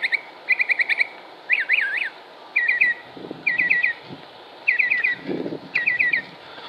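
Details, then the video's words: Mockingbird song recorded 6 July 2016 in Concord, North Carolina: short bursts of rapid repeated notes, trilled chatters and a zigzag whistled phrase, each phrase repeated before switching, with brief low rumbles beneath. "Northern Mockingbird Songs"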